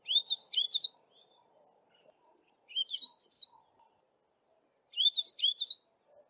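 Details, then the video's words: A male Yellow-fronted Canary sings typical song: three bright, twittering bursts of rising and falling notes, each about a second long and spaced roughly two seconds apart. "YELLOW-FRONTED CANARY male singing"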